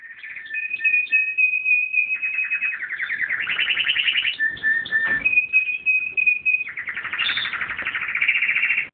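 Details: Canary singing, a continuous song of long steady whistled tones alternating with fast buzzy trills and rolling tours, with pitch shifting between low and higher phrases, loud and unbroken throughout.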